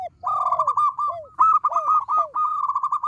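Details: Local zebra dove singing loudly and vigorously to draw responses; dense quick trills over a set of soft descending curved coos, almost continuous for three seconds.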